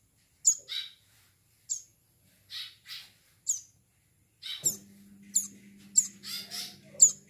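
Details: Plain prinia chicks giving high, thin chirps in short bursts, each with a sharp descending tip, repeated roughly every second; after about four seconds a steady low hum runs beneath the calls.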